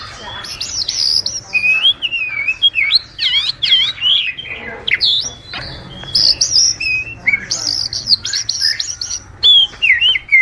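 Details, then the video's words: Kacer, the Oriental magpie-robin, singing energetically, a training and luring song. Dense, varied phrases of high, rapidly warbled and looping whistles, with brief pauses between bursts, continuous for ten seconds. "Masteran suara burung kacer super gacor, Suara pikat burung kacer"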